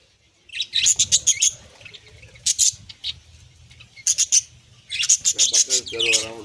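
A budgerigar gives quick bursts of high, scratchy chirps and chattering notes.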